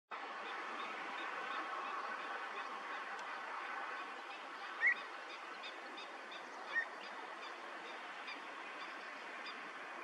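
Pied Avocet giving two short, clear fluty notes about two seconds apart over a steady rushing background of wind or distant flock murmur.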